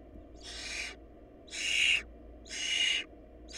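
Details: Barn owl nestlings going short of food; the weakest chick died and became food for its siblings. Loud noisy hisses about half a second long repeat roughly every second, four in a row, over a low hum.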